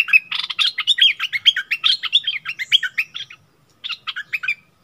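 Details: A captive bulbul and a wild bird quarrel in song, 27 March 2021, both stubborn: a fast jumble of scratchy chirps, a brief silence, then a few more twittering notes.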